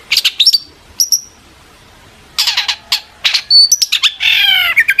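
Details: Long-tailed shrike singing agitatedly as a lure to draw other shrikes into answering: clusters of sharp, high chirps, a thin whistle, a pause, then dense chirp bursts ending in a buzzy, harmonic rasp and clipped notes.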